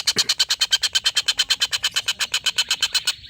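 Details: Collared kingfisher pouring out its long laughing call, used to train white-rumped shama contest birds: an unbroken string of harsh, evenly spaced rasping notes, about seven per second, that stops sharply near the end.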